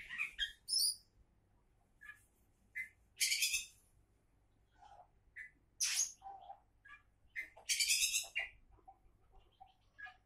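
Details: Oriental magpie-robin (kacer), touted as a future champion, sings an irregular run of mixed phrases: harsh buzzy bursts, lower downslurred whistles and short clear notes, about 23 per minute, over a faint hum.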